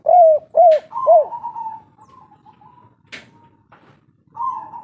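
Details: Three short arched coos from a local spotted dove in 'kuk 3' style, followed by a level drawn-out note, a couple of sharp clicks or wing sounds, and another flat coo at the end.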